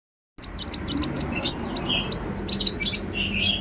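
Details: Ruby-cheeked sunbird (Chalcoparia singalensis), song.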